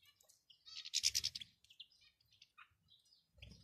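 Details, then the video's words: European goldfinch calls from a male and a female, used to encourage a male to sing: a fast buzzy rattling chatter followed by sparse high tinkling chirps, with brief low thumps. "بتبتة ونداء دكر وأنثى الحسون الجاهزة فعالة في تحفيز ذكر الحسون على التغريد"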